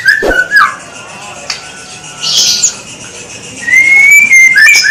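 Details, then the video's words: White-rumped shama (murai batu, Medan type) singing sparsely: a few short sharp notes at the start, faint whistles in between, then a clear rising whistle followed by quick chirps near the end. "MENGAMATI BURUNG MURAI SUPER GACOR"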